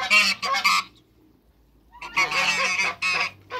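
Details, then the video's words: Two male and one female African geese in a backyard give a short burst of raspy honks, then fall silent for about a second before resuming with a longer, louder honking volley. "TWO MALE ONE FEMALE AFRICAN GEESE AFTER THE CREATE WATERBIRDS IN THE BACKYARD"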